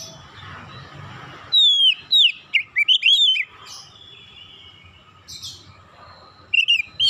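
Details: Oriental magpie-robin calling: a loud falling whistle followed by a rapid series of chirps and twisting notes, then quiet, with one more brief chirp burst at the end.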